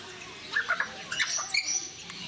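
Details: Captive African grey parrots, known for talking, at Mysore Zoo in India: a quick run of short squawky and whistled notes over about one second, with a few higher thin whistles following, over steady background noise.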